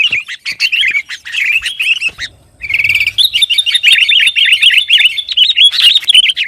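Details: Noisy, excited sooty-headed bulbul song to provoke rivals: rapid wavering warbles, a short silent gap, then a fast stuttering trill leading into dense chattering phrases.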